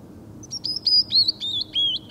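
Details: Male Canyon Wren at Rattlesnake Bluffs around January 25, 2013, wintering at the northernmost place it has been found, gives a cascade of about eight clear, high whistled notes stepping down in pitch over two seconds; faint rumble underneath.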